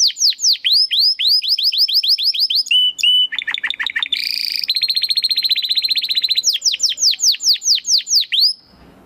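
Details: Lively domestic canary in crystal-voiced style, sung as master material for competition birds: rapid high downward-sweeping whistles, then short steady tones, a buzzy rattle, a fast even trill, and more sweeping notes before falling silent.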